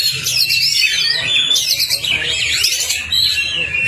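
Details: Oriental magpie-robin lure song, played to get a silent kacer singing quickly: a dense run of high warbled whistles and sweeping trills, with a steady low hum beneath.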